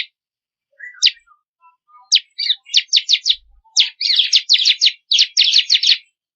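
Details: Bar-winged prinia song variation used for training songbirds: a few soft low whistles open into dense, fast rattling trills of high notes repeated in quick bursts.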